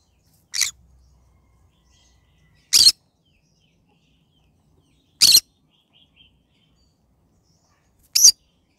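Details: Yellow-sided green-cheeked conure kept as a pet, morning calls: four brief rasping screeches evenly spread over nine seconds, each a sharp burst with near silence between.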